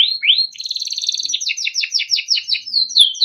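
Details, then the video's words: Timbrado canary, a small yellow cage bird, singing a melodic training song: rising whistled sweeps, then a rapid series of repeated rolling notes and a closing sustained whistle. "Timbrado canary singing beautiful melodic songs for training"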